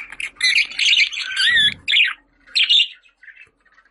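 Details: Pet budgerigar warbling chatter, played to call budgies: dense scratchy chirps with a rising whistled note in the middle, a second short burst after a brief gap, then fading soft chirps.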